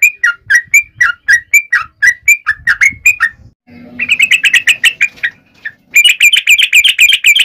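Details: Yellow-vented bulbul calling its companions in lively, full song: alternating bubbly whistles, then a rapid buzzy chatter, a short pause, and another fast chattering burst.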